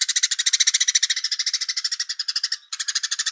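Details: Velvet-fronted nuthatch, known locally as pelatuk beras, in a song style called Cigun Gereja with pauses and far-carrying voice: a dense, rapid rattling trill of sharp high notes, about thirteen per second, breaking briefly then resuming. No other sounds.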